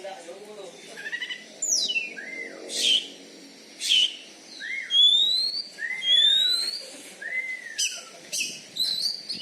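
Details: Champion captive Oriental magpie-robin from Bengkulu, Indonesia, known for a loud voice and a fighting style meant to make rival birds submit; loud whistled phrases, some sweeping downward and some rising, spaced by short pauses.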